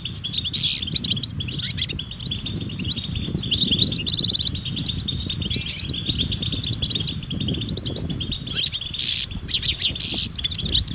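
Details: European goldfinches in a chorus amid nature, mating and readiness calls meant to stimulate males to sing: dense overlapping twittering and tinkling high notes throughout, over steady low rumbling background noise.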